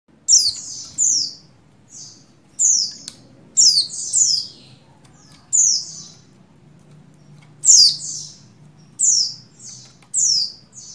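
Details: Female Oriental white-eye of the buxtoni form, in breeding condition, calling to a male. She gives very high, short, downward-sweeping chirps in clusters of two or three, with irregular pauses between bursts and faint low background hum.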